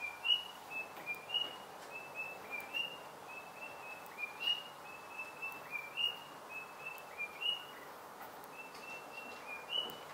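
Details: White-browed robin-chat, also called Heuglin's robin, near Kruger National Park in Mpumalanga, South Africa: a clear whistled phrase, a brief rising note then a level one, repeated about every second and a half over steady background hiss.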